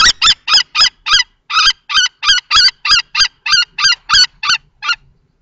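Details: In Théding, France, on 20 March 2024, two male common kestrels clash over a nest box, an adult against a juvenile-plumaged youngster, with a female present. Short, sharp, strident kee notes come about three per second, then stop.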